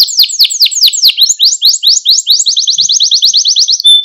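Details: Singing Malta canary, a recording meant to rouse canaries and teach young ones: sweeping descending chirps repeated a few times per second run into a long, even, rapid high roll.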